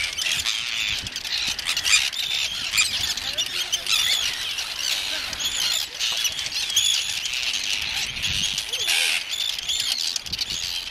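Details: Arctic Terns call constantly from a busy breeding colony on Inner Farne, Farne Islands, Northumberland, UK, on 6 June 2013, harsh grating and squealing notes overlapping at high pitch, dive-bombing visitors, with a few brief human voices mixed in.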